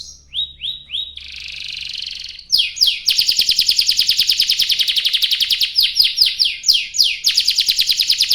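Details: Canary singing a long gacor song used as a lure to get other canaries singing: a few rising sweeps, a buzzy held note, then fast rolling trills of high chirps around eight per second with sweeping phrases between.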